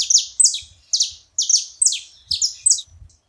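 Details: A group of saffron finches making a lively noise: pairs of high, sharply descending chirps repeated in steady bursts about every half second, against a quiet low background hum.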